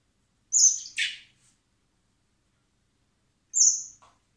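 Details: Common blackbird chicks begging while being hand-fed in spring at a wildlife recovery centre before release; high, thin whistled notes followed by a harsher buzzy rasp, two bursts about three seconds apart.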